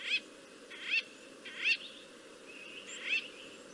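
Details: White-fronted bee-eater in Africa giving four short, squeaky, slightly burry calls, each under a quarter second, over a steady low background hum.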